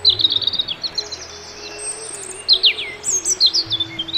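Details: Birdsong in a natural setting: quick high whistled trills and descending chirped notes in short bursts, a thin high sustained tone between them, over a low background hum.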